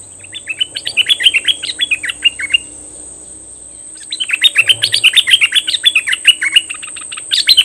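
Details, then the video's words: Decoy Cream-vented bulbul, said to be especially fierce, May 2021: two quick bursts of rapid, bubbling chattered notes, roughly four per second, separated by a pause of about one and a half seconds, with a constant thin high whine behind. "Suara merbah lekir Bird sounds"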